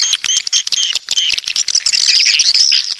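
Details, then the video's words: Southern coastal swiftlets with short high chirps and squeaks, then a thin wavering whistled trill near the end, amid quick clicks. "Suara Walet Pantai Dari Selatan"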